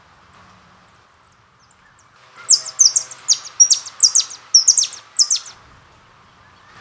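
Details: Jilguero song from a CD of singing birds: after two quiet seconds a fast run of very high, sharp, descending buzzy notes and twitters, densely packed for about three seconds, with faint low hum behind.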